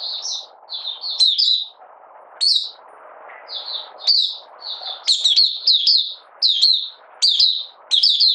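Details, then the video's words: Malaysian Oriental white-eye, a hobby bird in minor moult and out of form, recorded 31 July 2023, giving an opening song: bursts of high, sweet, fast warbled notes in short phrases, separated by pauses with a steady low hiss in the background. "Malaysian Mata Puteh Buka Sing"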